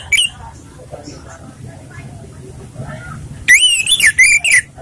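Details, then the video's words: Relaxed song of an orange-headed thrush, suited for luring or training other birds: a quick burst of varied whistled notes near the end, after soft murmuring voices and a brief chirp at the start. "ANIS MERAH bersuara santai/cocok untuk pancingan"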